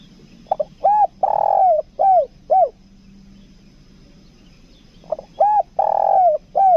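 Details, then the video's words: Lure spotted dove of the kuk dua type from Lombok giving two coo phrases: short quick hoots leading into a long sustained coo, then two clipped notes, with a quiet gap of about three seconds between. "PIKAT TEKUKUR KUK DUA"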